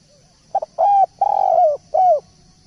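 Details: Spotted dove in full song, one phrase of soft hollow coos: a quick double lead-in note, then a sustained coo, a long drawn middle coo and a final falling coo, over a faint constant high-pitched hum.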